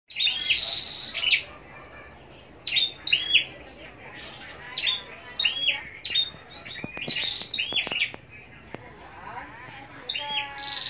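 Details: A captive Scarlet-backed flowerpecker (Dicaeum cruentatum) kept for song contests at Long Thành, Vietnam, sings thin, high, sharply curved notes in quick bursts every second or two, with faint background chatter.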